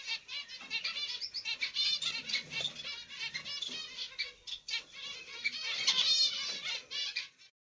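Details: Zebra finch family in the nest: a pied female, a grey light-back black-cheeked male and their young. Dense, continuous high chattering runs on for about seven seconds, rising and falling in loudness before stopping abruptly.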